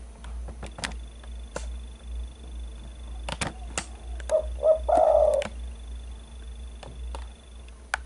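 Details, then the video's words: Spotted dove cooing for use as a lure: two brief low notes, then a longer, slightly rolling coo near the middle, surrounded by scattered sharp clicks and knocks and a constant low hum. "Suara burung pikat derkuku"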